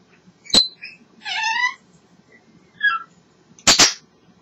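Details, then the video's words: Pet African grey parrot chattering indoors: a sharp click, then a loud buzzy, richly layered squawk lasting half a second, a short mid-pitched note, and a final double burst of harsh noise. "African Grey Parrot talking away having a great time"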